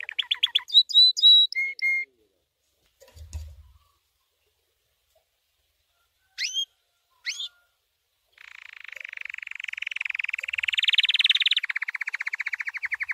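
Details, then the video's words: Training song from a white canary: a rapid high trill and clipped whistled notes, a long quiet pause with two sharp notes, then a long, fast, rattling roll that grows louder. "White Canary 12h Singing - The Best Training Song"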